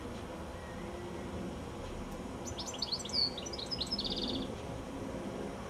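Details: Goldfinch perched high on a telephone wire just before sunset, delivering a rapid twittering phrase of bright chirps and whistles that ends in a rattling trill, over quiet low ambient noise.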